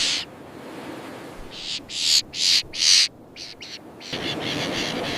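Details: Common terns in a breeding colony: harsh, grating calls, three loud drawn-out bursts in quick succession mid-way, with fainter, shorter calling before and a steady hiss of colony noise afterwards.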